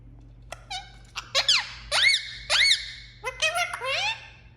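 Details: Pet Indian ringneck parakeet, a talking parrot, giving a run of loud, squeaky, harmonic-rich calls that sweep upward, about a dozen bursts over several seconds at an uneven pace, with a low steady hum underneath.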